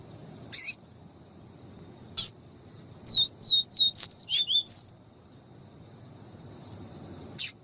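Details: Double-collared seedeater (Sporophila caerulescens), song: Female calling to excite the male.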